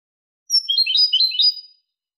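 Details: European goldfinch singing a clean song, recorded in 2023: one brisk, high twittering phrase of rapid liquid trills and tinkling notes lasting about a second and a quarter, on a silent background.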